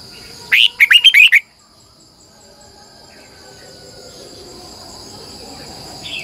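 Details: Red-whiskered bulbul decoy singing in the morning, long twisting double-voiced song. A single short phrase of five or six sharp, warbled notes, then only a steady high-pitched insect-like drone and low background noise.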